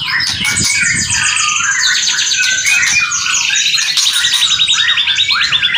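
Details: White-rumped shama song with kretekan and whistling: continuous rapid trills and stuttering repeated notes at high pitch, layered whistled phrases, energetic and unbroken.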